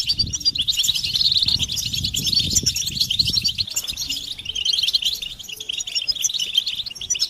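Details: European goldfinches chattering in chorus, a recording meant to make a male sing without interruption; dense, bright twittering and trilling fill the clip, with low rumbling noise strongest in the first half.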